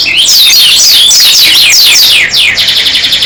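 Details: Oriental white-eye (pleci dakun) in continuous, energetic open-beaked song: an unbroken stream of rapid, high, zigzagging whistled notes, ending in quicker, buzzier trills.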